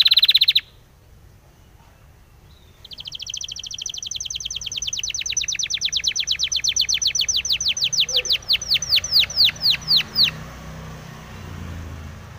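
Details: Spanish timbrado canary singing a training song: after a short burst and a quiet gap, a long trill of repeated notes gradually slows into separate falling slurs and fades.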